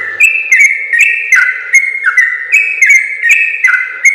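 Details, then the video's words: Rapid, lively song of a sooty-headed bulbul, recorded as a master for training other bulbuls: clear whistled notes dipping and rising in a busy string, about two to three per second, each led by a sharp tick. "suara burung trucukan gacor ropel panjang terbaik"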